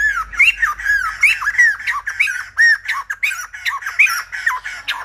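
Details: Silver-headed babbler song, described as like a lumba dancer: lively squawking whistles, several sharply rising notes, repeated in quick succession across five seconds with a faint low hum beneath.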